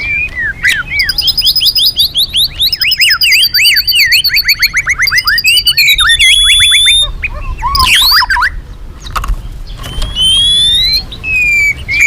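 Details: Loud magpie-robin song meant as a lure for other birds: long run of rapid looping whistled notes and trills, then varied sharp calls and sweeping whistles, with steady background noise.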